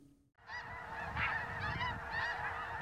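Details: Flying flock of geese honking in a steady overlapping chorus of nasal, repeated calls, with a low rumble of wind or background noise underneath; the calls help distinguish geese from whooping cranes in the Texas central flyway.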